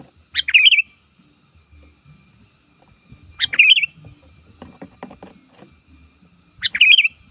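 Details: Trained sooty-headed bulbul used as a lure to call opponents in the wild: brief bubbly, slightly rising three-note phrases spaced about three seconds apart, with soft clicks and low rustling in between.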